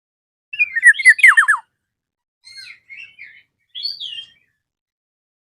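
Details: Rival-calling Black-naped oriole gives one loud burst of chattering notes ending in three fast descending slurs, then softer, scattered short notes and a higher squeaky note a few seconds later.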